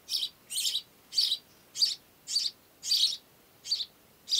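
A house sparrow gives a steady series of harsh, bright chirps, about one every half second, against a quiet background.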